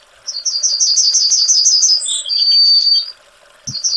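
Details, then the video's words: Yellowhammer (Emberiza citrinella) song phrase of rapid, repeated high notes ending in a short note and a long, slightly buzzy sustained tone. A faint click follows, then the start of another phrase. "Yellowhammer Singing"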